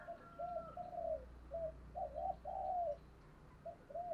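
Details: Decoy spotted dove, 'giọng thổ' voice style, sounding distant and quiet: a run of short, soft repeated coos over a low background hum.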